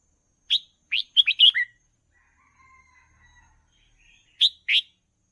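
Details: Red-whiskered bulbul song played for training young birds: a quick burst of five bright, chirpy whistled notes, then faint thin tones and two final sharp chirps.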